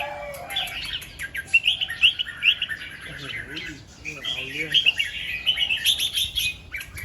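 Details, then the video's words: Red-whiskered bulbul in the morning, singing doubled 2-3 phrases and 'rik' notes: lively chirped whistles in quick bursts, a gap with low guttural chicken-like sounds, then a second warbling run. "เสียงนกกรงหัวจุก ร้องเบิ้ล2-3 ร้องริก"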